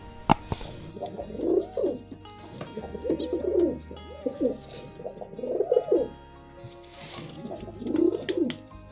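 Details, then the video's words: Pigeons cooing for mating, four distinct throaty coo phrases spaced about two seconds apart, each swelling and bending in pitch, with scattered clicks and a low humming background. "Pigeon Sound Effect || Pigeon Mating"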